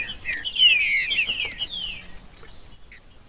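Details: Short burst of green-winged saltator song from a natural stimulation recording for caged birds: tangled, overlapping descending whistles fading out, followed by a lone high chirp over a continuous high hiss.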